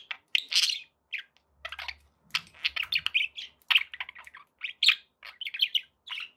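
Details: Pet budgerigars chirp in short sharp squeaks and twittering notes, spaced irregularly, with a soft low hum partway through.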